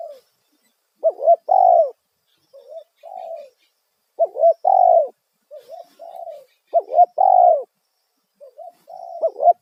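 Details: Spotted dove lure call in the loud 'kuk satu' style, used to draw wild doves: mellow, hollow coo phrases with a rising hiccup note and a long, drawn-out final coo, repeated about every two and a half seconds.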